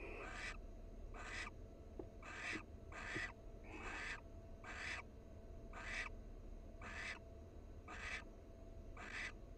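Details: A wild barn owl pair at a nest box, the male preening his mate's feathers, with harsh, breathy hisses, each about half a second long, repeated roughly once a second.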